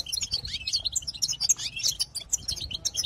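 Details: European goldfinch in continuous babbling song meant to excite other goldfinches: rapid, tinkling high twitters and slurred chirps tumbling together without a break, lively and liquid throughout.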